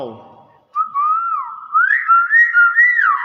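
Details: Nias hill myna giving its natural voice: a clear whistled phrase that glides up and down, then climbs into higher, wavering notes. People speak in Indonesian just before it.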